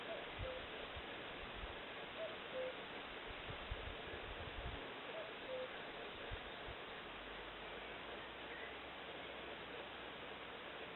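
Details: Common cuckoo heard in Eksta, Gotland: faint falling two-note cu-coo phrases, a few of them early on, then fading, masked by broad hiss and occasional low rumbles.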